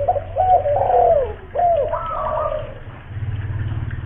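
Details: Loud local spotted dove used as a lure in Kuningan, West Java, coos a phrase of bent, downward-curving notes, then a steadier higher coo, followed by a low rumbling hum.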